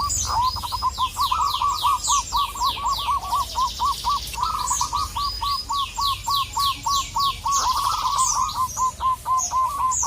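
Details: A local zebra dove challenges a rival with long strings of quick, clipped cooing notes at a steady mid pitch. Other small birds chirp and sweep high in the background throughout.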